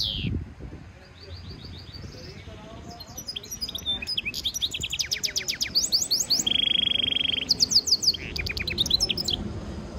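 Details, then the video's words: European goldfinch mule hybrid in song training, delivering varied twittering phrases and fast trills. A long, steady buzzy note comes midway, then more rapid clipped notes, with faint low background noise throughout. "European goldfinch Singing Mule -Training - Jilguero Mulo - Carduelis carduelis - Stimulation song"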